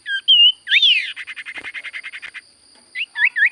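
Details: Sirtu cipoh (common iora) song: a clear whistle, a harsh rising slur, then a fast even rattle of about fifteen chirps, ending with quick looping whistled notes; faint constant electronic tone.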